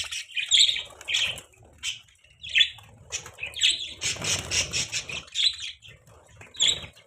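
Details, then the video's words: Budgerigars chirping in the morning: bright squawky chirps and warbling notes in quick irregular bursts, with a denser chattering stretch in the middle and a few wing-flutter sounds. "Budgie Bird chirping sounds in morning time"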